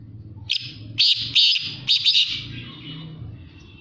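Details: Black francolin (kala tetar) calling: loud, harsh, buzzy notes in quick bursts over about two seconds, then trailing off, with a low hum underneath.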